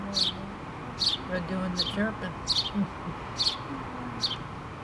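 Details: Two baby house sparrows and their mother at a nest in a pole, 8-3-2017: six high, falling chirps about one per second, overlapped by soft human speech.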